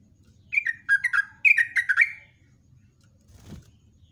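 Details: Yellow-vented bulbul singing in the morning, a lure song delivered in the rolling ropelan style. One burst of about eight quick, liquid, bubbling whistled notes lasts under two seconds, followed by a soft bump.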